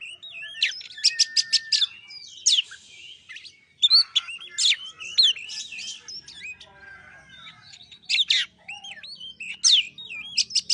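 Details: White-rumped shama song meant to coax a quiet bird into singing: rich, varied phrases of looping whistles, rapid repeated chips in rattling bursts and sweeping slurred notes, nearly continuous over ten seconds.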